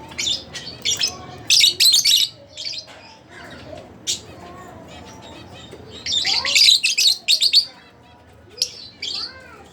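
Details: Split blue Fischer's lovebirds kept as pets, chirping in bursts of harsh, high, rapid notes, with quiet gaps and faint lower whistles between the bursts.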